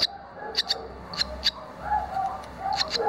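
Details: Barn swallow chicks around the nest during fledging, two young already outside and one back after a first flight: brief high chirps in irregular pairs, with a lower murmuring background sound underneath.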